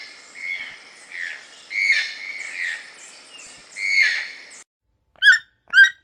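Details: Several toucan calls overlap in a reverberant, rolling series of croaks that swell and fade. After a pause, two clean, sharp notes follow.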